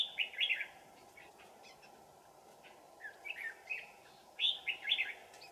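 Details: Red-whiskered bulbul decoy luring wild birds toward a trap in deep mountains on a cold afternoon, 15 December 2018; short bright warbled phrases in bursts, three groups separated by quiet gaps, steady low background hiss.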